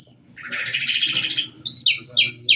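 Calandra lark song: a scratchy, chattering burst, then quick high slurred notes dropping in pitch, about three a second, over a faint low hum.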